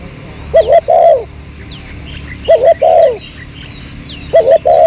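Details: Spotted dove repeating its cooing phrase three times at intervals of about two seconds, recorded behind house plants in 2022 for luring; each phrase is a doubled coo followed by a longer falling note, with faint chirps from other birds.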